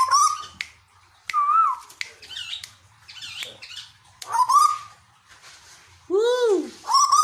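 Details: Caged Tuwu (Asian koel) from Bogor, Indonesia: rising whistled notes alternate with harsh squawky bursts, and a loud arched croaking note comes near the end.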